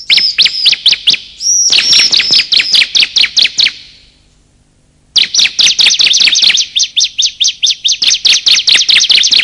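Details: Bar-winged prinia calls, male and female, for luring birds: long runs of rapid, sharp chirps about two per second, a high whistled note near two seconds, and a short silence before the chirping resumes.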